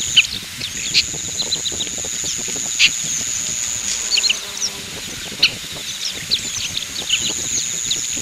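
Oriental pratincoles give sharp, high chirping notes in irregular bursts, several overlapping, over a steady high insect-like whine.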